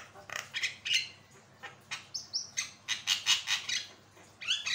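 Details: Javan myna in vigorous song, meant to train and prompt other birds: harsh chattering notes, two short rising whistles, then a pulsing series of rasps about four per second.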